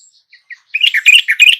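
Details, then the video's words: Yellow-vented bulbul song used as a lure to get a lazy, silent caged bird to sing: a few faint soft notes, then a loud burst of bubbly, gurgling chatter in quick repeated notes. "Pancingan TRUCUKAN MALES KICAU dan MACET TOTAL Agar nyaut GACOR"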